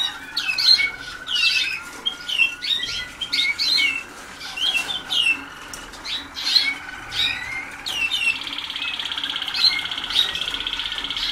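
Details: Young Waterslager canaries in early song training sing choppy bursts of high chirps, then settle into a sustained, rapidly pulsed high trill over the last few seconds.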